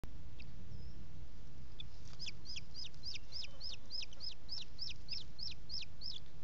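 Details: Booted eagle at a nest in Parc Natural dels Ports, 15 June 2017, early afternoon on a hot day, female shading two young chicks: a rapid series of about fourteen high, sharp, downward-slurred notes over a steady hiss.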